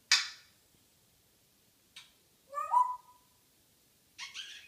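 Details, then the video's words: Morning chatter from an African grey parrot: a sharp hissing squawk, a brief click, a warbling whistled phrase with a bright tone, then a final rough squawk, separated by quiet gaps. "Hilarious African Grey Chatterbox"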